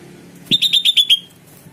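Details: Sooty-headed bulbul recording meant to set off answers from other bulbuls: six clear, ringing notes in quick, even succession after a soft thump, with steady background hum.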